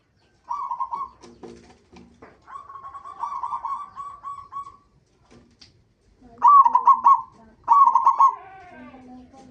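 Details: Local zebra dove offered as a lure to stir other zebra doves into song: a short coo, a longer trilled phrase trailing off, then two strong stuttered coos, with low clucks and a steady faint hum.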